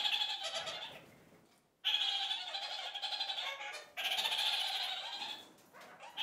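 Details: Kakariki flock communicating, chattering together as they do several times a day: dense, continuous rapid cackling and chirping from many birds in overlapping waves, broken by two short lulls.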